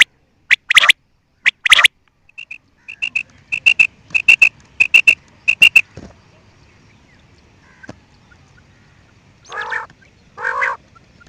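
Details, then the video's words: Quail calling: sharp broadband clicks early, then short clear piping notes in quick groups of two or three, and two harsh nasal croaking calls near the end over a quiet background. "New and nice sound of quail"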